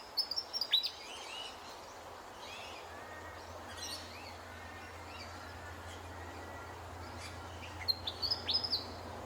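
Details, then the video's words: Willie wagtail in the morning in Australia: two quick bursts of high, sweet chirping notes, at the start and again near the end, over a steady low hum and faint distant birds. "Willie Wagtail Call"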